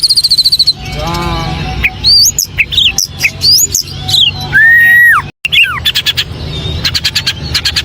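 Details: Varied White-rumped shama song: a fast high trill, then a descending series of notes, quick slurred whistles, a clear downward-bending whistle and bursts of rapid clicking notes, over a low background hum.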